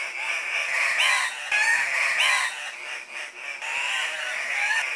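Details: Displaying Andean cock-of-the-rock males at a lek, competing for breeding females. Raspy squealing calls rise in bursts about every second, over a steady background of many more squawking birds.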